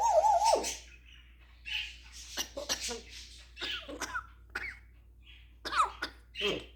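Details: African grey parrot imitating sounds: a warbling whistle, then a string of raspy coughs, clicks and squawks in irregular bursts.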